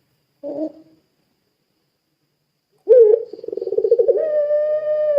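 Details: Puter pelung, a Barbary dove, as a lure to make other doves call: a brief soft low note, a long silence, then a rising note breaking into a quick pulsing roll that settles into a steady coo.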